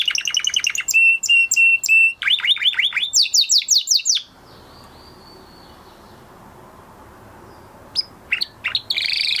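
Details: Male canary singing after his moulting period: a run of fast, high, rising chirps, then steady whistled trills and quick sweeping notes for about four seconds. A long quiet pause follows before a few sharp chirps return near the end.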